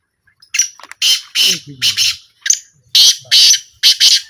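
A black francolin gives loud, harsh, grating notes in clipped bursts, about two a second, with a brief low murmur partway through.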